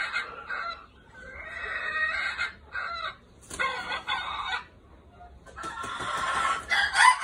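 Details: Decoy red junglefowl with golden hackles: a series of loud, harsh, harmonic crowing bursts, each about a second long, separated by short quiet gaps, with a faint background hum.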